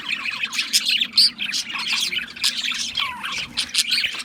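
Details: Budgerigars chirping: a dense chorus of rapid, high, scratchy chirps and squawks overlapping without pause, with one clear short whistled note near the middle.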